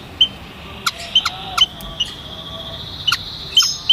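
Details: White-headed munia giving short, thin, high chirps scattered irregularly over four seconds, some clipped and click-like, with a faint steady high hiss behind them.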